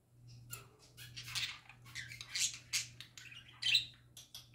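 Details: Parakeets kept as pets chattering happily, a run of quick, high, scratchy chirps and squeaky tweets in uneven bursts, with a constant low hum underneath.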